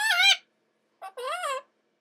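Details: A pet male Red-lored amazon indoors gives two short, nasal, wavering squawks, the second preceded by a clipped chirp, in a quiet room.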